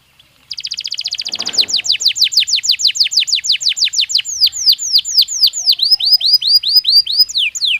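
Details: Belgian canary training song: a fast rattle of tiny high notes builds into a long, steady series of bright, downward-slurred whistles repeated about twice a second, varying slightly toward the end.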